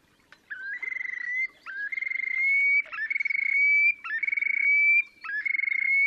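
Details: Terek sandpiper giving display calls at Lipovaya Gora–Verkhnee Sheykino on the Pra, Oka Nature Reserve, Russia, 30 April 2019. Five rhythmic phrases about a second apart, each a short upslurred note and then a rapid rattling trill under a clear, slightly rising ringing whistle.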